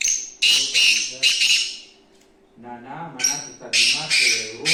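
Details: Black francolin, known locally as kala teetar, calling with loud, harsh, grating bursts of notes in a rapid series, a short quiet pause, then another vigorous run of rasping notes.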